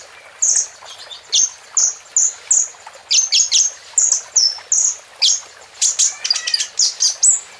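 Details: Series of varied short, high chirps and whistled notes from a plain prinia in full song, given roughly twice a second with a few doubled notes.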